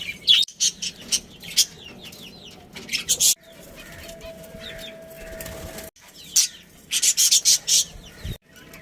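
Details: Domestic budgerigars, a breeding pair of pets, give bursts of high scratchy chirps in clusters, broken by a quiet stretch with a thin steady tone, then another lively run of chirps near the end.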